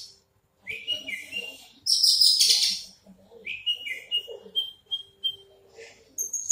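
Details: A big-bodied Horsfield's bush lark mixes a loud, harsh high burst with clear downslurred whistled notes repeated in quick succession, ending in short sharp chips; soft background voices.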